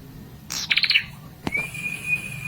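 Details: Red-headed prinia singing in a sound meant to provoke rival birds: a short buzzy, rapidly pulsed trill, then a sharp click and a long, steady, high whistled tone held to the end.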